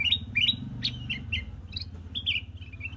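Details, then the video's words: Chirping of a black-crested bulbul, with quick clipped notes and short warbled phrases in an uneven stream, accompanied by a constant low mechanical hum. "black-crested bulbul chirping sound"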